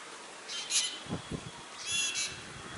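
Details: Black drongo calling: two short bursts of harsh, high squawking notes about a second apart, fairly faint over steady background hiss and a few low thumps.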